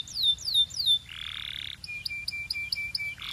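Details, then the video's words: Belgian canary singing: three descending slurred whistles, then a buzzy rattle for about a second, a steady run of short high notes, and a closing buzzy rattle. "Belgian Canary Singing"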